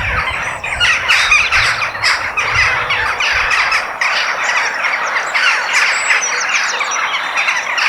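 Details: Crows in nature, a dense flock chorus of harsh, overlapping squawks and caws running without pause, with some low rumble in the first half.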